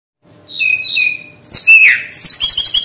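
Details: Brown-chested jungle flycatcher song played as a lure to make birds sing quickly: high whistled notes slide downward, then a loud rising-and-falling slurred whistle, followed by a run of thin, very high chirps.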